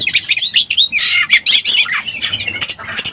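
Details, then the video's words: Lure recording of an Oriental magpie-robin in breeding condition: harsh, squawky high notes mixed with quick whistled slurs and scratchy bursts, loud and almost continuous throughout. "SUARA BURUNG KACER BIRAHI_SUARA PIKAT BURUNG KACER"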